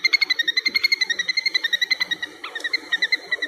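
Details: A Little Grebe on the shore of Dapeng Bay, 17 July 2022, gives a high, ringing trill of quick notes, about eight a second, sustained with a brief stutter midway; low background murmur.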